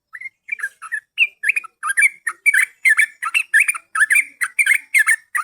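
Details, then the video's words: Yellow-vented bulbul song for luring birds: rapid, bubbly whistled phrases, each a quick tumble of rising and falling liquid notes, repeated almost without pause and growing denser. "Pancingan burung trucukan paling jitu"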